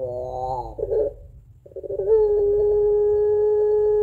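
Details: Pelung Barbary dove's long crying coo, used as a lure for doves at home: a trembling, wavering phrase and a short rattly flutter, a brief pause, then a clear, level, hollow moan held to the end.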